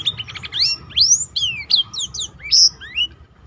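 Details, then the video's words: Short run of Black-throated canary song used as a tutor for other birds, with a quick stuttered series followed by bright rising and falling whistles; steady low noise in the background. "burung blackthrout lain pun ikut tergoda berbunyi"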